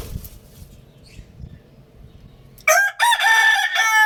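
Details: A Lohmann Brown rooster bursts into a loud, harsh crow after quiet low rumbling, the call rising then breaking off briefly before carrying on strongly.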